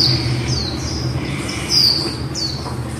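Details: Female white-eye singing in the líu style: quick high, thin downslurred notes in a loose run, with faint lower twitters and a constant low background hum.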